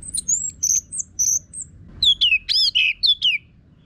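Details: Orange-headed thrush song used as a training lure for songbirds: a varied run of clear whistled notes and slurred phrases, first high thin whistles, then louder descending and wavering notes delivered in quick succession over about four seconds.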